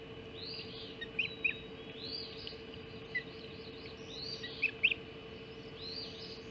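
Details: Hog Island Ospreys calling at the nest around 04:50 on 30 June 2016 as a mackerel is brought for breakfast; high arched whistles repeated about every second and a half, with sharp chirps between them, over a constant low hum.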